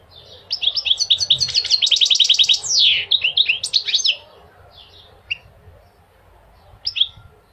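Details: Goldfinch song: a rapid chattering trill of bright, repeated notes building into a dense run, a brief buzzy rasp, then tinkling twitters tapering to a few isolated chirps.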